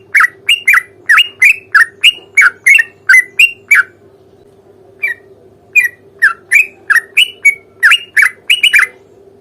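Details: Sooty-headed bulbul lively fighting song with long trills, used as a lure to make other bulbuls answer: bright, bubbly slurred notes fired in quick runs, a short pause midway, then more, over a steady low hum.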